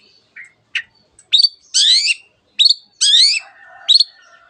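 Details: Long-tailed shrike singing a mimicking song that includes canary phrases and the calls of many other birds: a varied run of short chirps, rising sweeps and buzzy, rasping notes, separated by brief pauses.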